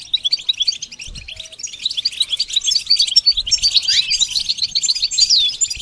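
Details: Continuous goldfinch song, a fast jumble of bright tinkling notes and buzzy twitters, building in density toward the end with a quick descending slur.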